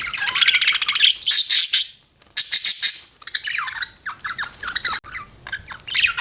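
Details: Budgerigar chirping: clicky pulsed notes and high squeaks, a short silence, then a run of rising and falling warbled chirps.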